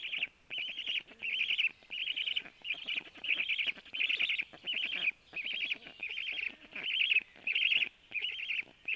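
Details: Black stork young fed by the male at the nest, 12:01: loud, regular buzzy trilled bursts, about thirteen in nine seconds, each cleanly separated by a short silence.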